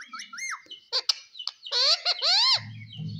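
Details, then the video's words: Green pet parrot talking: clear harmonic whistled notes that arch up and fall, short chirps, then a louder run of stacked rising-falling tones, ending with a low rumbling hum underneath. "parrot talk everything cute talking funny"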